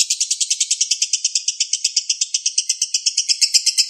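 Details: Balibu lovebird song used as a tutor recording for training songbirds, given in dense, long bursts: rapid high chirps repeated about eight times a second in a steady, unbroken chattering stream.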